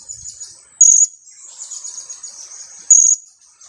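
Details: Young blue-crowned hanging parrot, two weeks old, kept as a lure bird: a pair of piercing high 'kiak' calls roughly two seconds apart, linked by a soft, steady high-pitched twitter.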